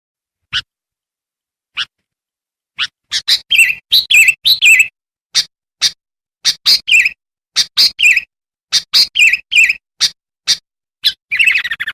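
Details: Lure recording of a sooty-headed bulbul for calling wild bulbuls: scattered sharp clicks build into rapid bursts of harsh chips and warbled whistles, ending in a fast chatter.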